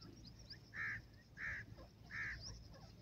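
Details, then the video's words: Iranian teetar, a partridge, calling: three short, hoarse, clipped notes about seven-tenths of a second apart over a low hum and faint background chirps. "irani teetar birds hot voice,partridge birds songs"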